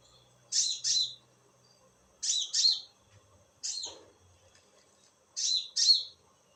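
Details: At night, a konin bird gives high, harsh downslurred notes mostly in close pairs, about one pair every one and a half seconds, over a quiet background.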